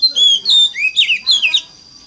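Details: Oriental magpie-robin singing a forest-voice style song, used as a lure to prompt other magpie-robins to sing: a rapid run of clear, sweet whistled phrases with falling and rising slurs, some short notes in quick pairs, fading at the end.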